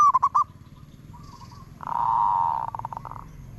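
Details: Zebra dove singing its 'aod' coo: a few choppy opening notes, then a long, loud, even buzzy tone that breaks into a stuttering series of short pulses. Low background rumble is also present.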